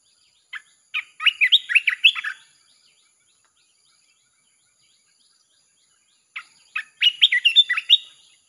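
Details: Red-whiskered bulbul song played to attract wild birds. Two lively phrases of quick, slurred, whistled notes, each opening with a couple of separate chirps, are separated by a long pause.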